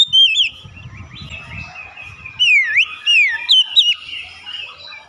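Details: Oriental magpie-robin: a short bright whistle, a quiet stretch over low rumbling noise, then several loud swooping whistles that dip down and climb back up, spaced about half a second apart.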